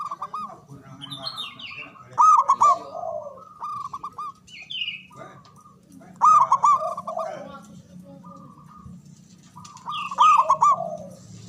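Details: Local Java zebra dove noted for a large, loud voice and long breath, used to lure and stir silent doves: loud clipped cooing bursts repeat about every four seconds, linked by softer level tones and brief higher twitters.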